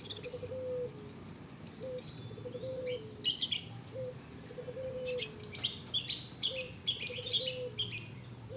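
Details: A 1.5-month-old young canary practising its first song: a quick series of about ten bright, high chirps in a row, a pause, then scratchy buzzy notes and more chirps, with soft low whistles in the background.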